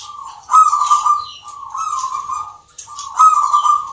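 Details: A zebra dove at a local dove singing contest in Yogyakarta, Indonesia, gives soft, rolling cooing phrases around one steady pitch, three bursts over four seconds, with faint high twittering above.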